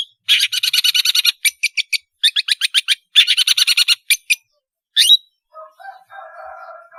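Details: Long-tailed shrike singing melodiously as a lure for learning juveniles. Long rattling trains of buzzy notes and harsh chatter give way to a single whistled slur, then soft distant murmurs.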